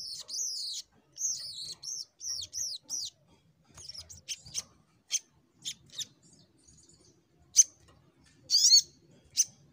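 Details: Little Spiderhunter (sogok ontong) in full fighter mode, 'nembak' style, somewhat quiet: wavering high whistled phrases in series, followed by sparse ticks and occasional sharp chirps, with a soft low background rumble.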